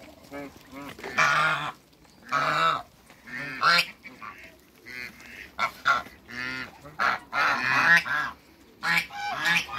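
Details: Two male and one female African geese in a backyard with other waterbirds utter a rapid series of loud, nasal, trumpeting honks, roughly ten bursts in ten seconds, some drawn out and others clipped, with brief quiet gaps.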